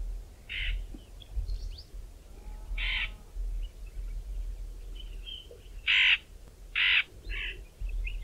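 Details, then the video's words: White-fronted bee-eater making scattered harsh nasal calls, several loud blocky notes spaced about a second apart, against steady low background noise. "White-fronted Bee-eater calls - at least 4 variations of their calls"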